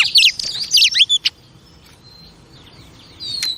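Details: Female oriental magpie-robin, kept as a pet, singing to stimulate males: just over a second of fast, looping whistles, then faint soft notes and a final sharp whistle.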